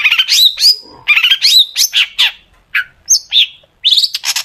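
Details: Long-tailed shrike in full, lively song packed with sharp 'tembakan' bursts, played as a lure to make shrikes sing; quick scratchy chattering phrases with bright rising whistles, broken by short gaps and a brief upslurred squeak.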